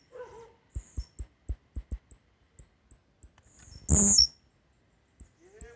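A blue-black grassquit gives one loud, high buzzy note, with a few faint high chips before it. Soft low taps and clicks repeat throughout.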